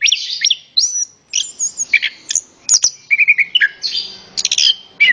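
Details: Varied song of an orange-headed thrush used to stimulate other birds to sing: clear whistled phrases, short trilled notes and sharp high chirps separated by short gaps.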